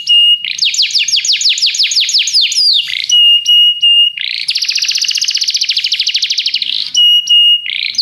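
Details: Training song for canaries: rapid series of descending whistled notes, then clear steady whistles and a long fast buzzy trill, all high-pitched and loud, phrases shifting in quick succession.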